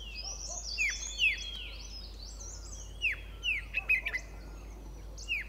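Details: Two White-cheeked Bulbuls calling from a shrub at Pari Tibba, Motidhar: repeated falling whistled notes at irregular intervals, over a layer of high twittering from other birds and a constant low hum.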